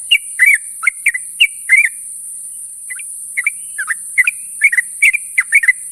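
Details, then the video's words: Sooty-headed bulbul calling companions in the morning. Pairs of slurred, fluty chirps open the run, a short pause follows, and then the notes grow denser again, all heard over a faint, steady hiss. "suara burung trucuk memanggil kawan di pagi hari"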